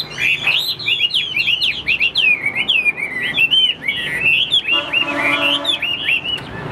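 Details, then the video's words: Chinese hwamei in captivity, described as a fighting bird with wing-spreading display, sings a long torrent of rapid looping whistles, with a steady buzzy tone behind the phrases toward the end. "Họa mi số 1118 Đấu xòe chơi cánh dáng cao"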